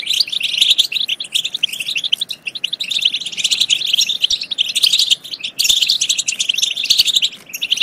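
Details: Unbroken, high, jingling European goldfinch twitter meant to stir goldfinches to sing and breed. Notes crowd together, with only brief gaps.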